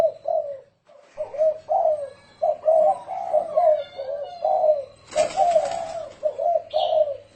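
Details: Spotted dove in the 'thổ rền' cooing style used as a decoy for luring doves: a near-continuous run of deep, rolling coos, interrupted once by a sharp clatter, with a faint high chirp near the end.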